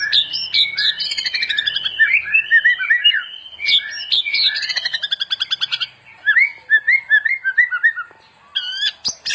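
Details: Varied white-rumped shama song, used to train other birds: rich, tumbling whistles and warbles, a run of fast repeated notes, then loud slurred phrases and sharp high notes.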